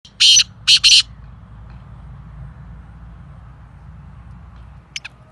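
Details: Black francolin (kala teetar), described as a fast "speeder" caller: three loud, harsh, grating bursts in quick succession, the last two close together, then a short faint double note about four seconds later over quiet low background hum.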